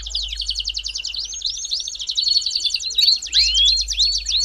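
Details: Belgian canary warm-up song: rapid rolling trills, repeated about every third of a second, mixed with rising whistled swoops and clear tones, with a faint low hum underneath.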